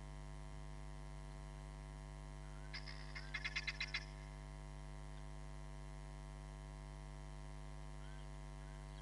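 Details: Hamerkop at Nkorho Bush Lodge, caught by a live camera on 31 July 2021: one brief burst of rapid, high nasal pulses lasting about a second, heard over a loud, steady electrical hum.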